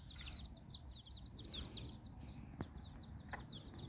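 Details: Chicks out walking with their mother hen in Bizkaia, Basque Country: steady high, downslurred peeps in quick succession, over a rumbling background with a couple of sharp clicks.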